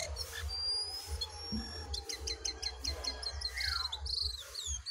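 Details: Wild and caged jongkangan birds in a singing contest: bright high chirps and rapid runs of short repeated notes, with trilled bursts and sharp whistled slurs overlapping, over a steady low hum.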